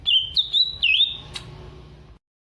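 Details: Caged greater green leafbird from Alas Purwo, Banyuwangi, tested for its fighting character; three or four clear whistled notes, some slurring downward, ending with a click and then silence.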